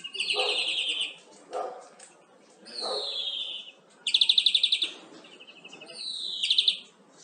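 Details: European greenfinch singing, a recording meant for tutoring captive birds. Rapid trilled phrases are separated by brief pauses, some sliding downward, with one loud buzzing rattle in the middle and a falling trill at the end.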